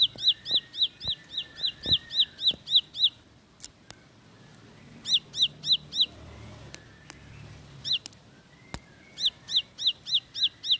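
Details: Ciblek sawah, or Bar-winged prinia, giving short bursts of fast, sharp, high chips in rapid 'roll' style, separated by quiet gaps of a second or more, with clicks and softer chirps between.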